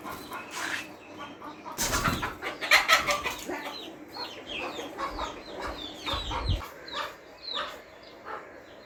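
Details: Several chickens (Gallus gallus domesticus) cluck over one another in short, throaty bursts, some rising into brief squawks, with a few thumps and rustles.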